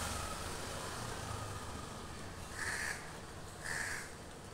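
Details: Crows calling to the person recording: two harsh caws about a second apart, set against a steady low rumble like passing traffic.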